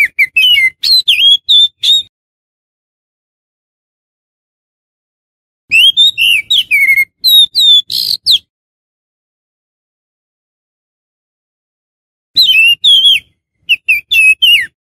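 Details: Kacer, the oriental magpie-robin, heard as a lure for wild birds: three bursts of fast, varied whistled phrases with sweeping slurs and sharp chips, separated by several seconds of silence.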